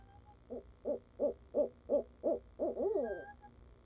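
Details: Barred owl, the father bird visiting the nest at Leesville in 2015, captured on a live camera: a rhythmic run of about seven low, evenly spaced hoots, speeding slightly, closing with a longer, wavering descending hoot.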